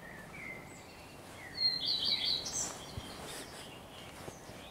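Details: Common Redstart singing on 12 May 2023 with a blackbird present: soft lower whistled notes early on, then a short burst of high, quick twittering notes around the middle, amid steady background noise.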